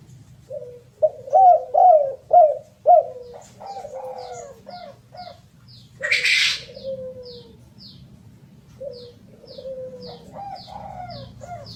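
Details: A spotted dove opens with four loud, rising-falling coos in quick succession, then gives quieter drawn-out coos and a sliding note. A sudden rushing burst cuts in partway through, and a small bird chirps thinly and regularly in the background.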